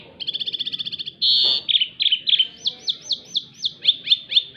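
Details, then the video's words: White canary singing loudly in a twisting style, with a fast trill of about sixteen notes, a long buzzy steady note, then a run of repeated downslurred whistles. "burung kenari putih suara melintir keras"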